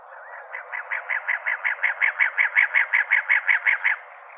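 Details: In Arizona, a cactus wren gives a harsh, chugging run of about eighteen raspy notes, four to five per second, over a steady background hiss.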